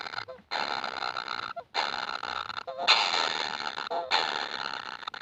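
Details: Hungry kingfisher chicks beg for food with raspy, broadband buzzing bursts about a second long, each preceded by a short lower tone and separated by silent gaps.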